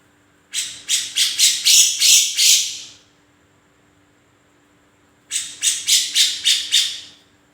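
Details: Black-crested bulbul song in two bursts, each a run of about seven rapid, harsh, buzzy notes climbing in loudness, separated by several seconds of near silence over a low steady hum.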